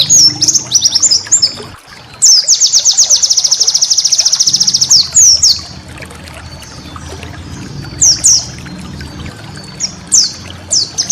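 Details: White-eye master song for cage-bird training: quick high chattering, a long dense trill of fast identical notes, then scattered downslurred whistles spaced over several seconds against soft background hiss.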